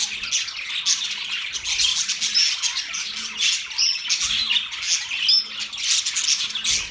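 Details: A group of budgies keeps up a steady high chatter of buzzy chirps and warbles, broken by short clear whistled squeaks every second or so.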